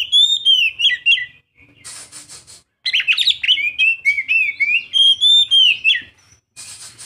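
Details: A young Oriental magpie-robin delivers fast twittering, whistled phrases that slide up and down, with a harsh scratchy buzz in the middle and another at the close, followed by a resumed stream of chattering warbles.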